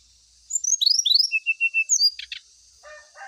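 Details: Brown-chested jungle flycatcher lure song meant to get a bird singing during morning dew airing: quick rising and falling high whistles, four even repeated whistled notes, two sharp clicks, then low warbling, all over a high hiss.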